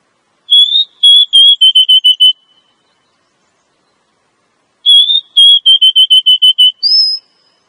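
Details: Female Oriental magpie-robin call aimed at attracting a male, used to lure wild males: two phrases, each a wavering whistle followed by a rapid run of short, evenly spaced notes, the second ending in a higher rising whistle.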